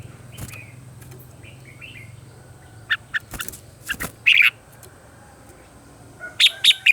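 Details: Caged red-whiskered bulbul morning song, used as lure and voice-training sound for other bulbuls: after a quiet start over low hum come short clipped, chirping bursts of bright notes, then a fresh quick run of sharp notes near the end.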